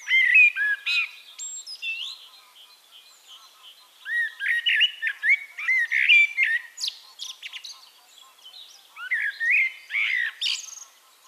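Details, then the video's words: Eurasian blackbird song from Castricum, Netherlands: several phrases over eleven seconds, each opening with low flute-like whistles and breaking into high squeaky chatter, separated by short pauses; clear and close. "One Hour Relaxing Birdsong: Blackbird"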